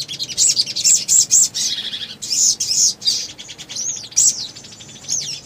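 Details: Ruby-cheeked sunbird singing loudly as a lure for other birds: quick high chirps in tight clusters, then thin rising and falling whistled notes with sharp squeaks.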